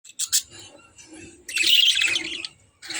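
Budgerigars chirp in quick, scratchy bursts, with a longer run of warbled twittering in the middle; faint low murmuring sits underneath.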